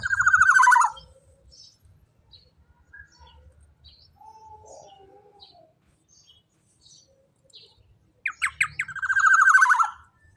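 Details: Black-naped oriole, called kepodang emas, loud song used for tutoring other birds: bursts of rich fluting whistles and harsher notes near the start and end, with a quiet gap of faint chirps between.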